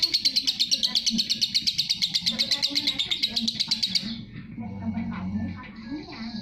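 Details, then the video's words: Long 'ngekek' chatter of a lovebird, a tutoring recording: about four seconds of evenly spaced, rapid, piercing high chirps that stop abruptly, leaving faint low rumbling and a few soft sounds. "love bird masteran ngekek panjang"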